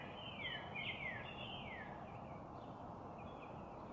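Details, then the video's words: Northern cardinal giving a quick series of descending whistled notes that fade into steady, loud background noise. "Birdsong. The cardinal is one of the most beautiful songbirds in the world!"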